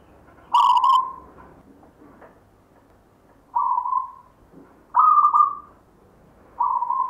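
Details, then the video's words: Perkutut, a local wild zebra dove from a grandfather, repeating its cooing song: a fast pulsed stutter, then a series of smooth sustained mid-pitched coos about one to two seconds apart, one pitched a little higher. "perkutut LOKAL alam GAYER tinggalan SIMBAH suara irama"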